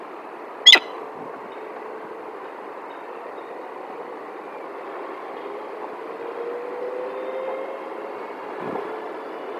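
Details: A continuous mid-range traffic or rail drone with one sharp click near the start and a soft thump near the end, with no animal voices.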